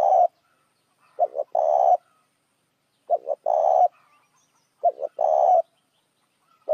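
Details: Spotted dove calling to lure other doves: a regular series of low cooing phrases, a quick double note then a longer buzzy coo, spaced about 1.7 seconds apart with silence between.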